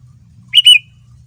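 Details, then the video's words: Sooty-headed bulbul (kutilang), a male, in lure song meant to make other bulbuls reply: one clear whistled note in two quick parts, the second slightly longer and sliding down, over a soft low hum. "Kutilang Super Gacor Full Isian Mahal, Semua Burung Kutilang Ikut Nyaut dengan pancingan ini"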